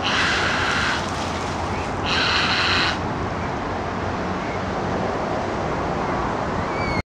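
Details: A grey heron gives two harsh, hoarse croaks, each about a second long, over steady roaring wind or traffic noise. It is unclear whether the calls are cheering or jeering.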